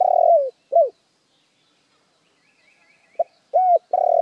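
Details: Spotted dove lure song: the end of a long falling coo and a short arched note, a pause with faint distant twittering, then a new phrase of pip, arched coo and long wavering coo.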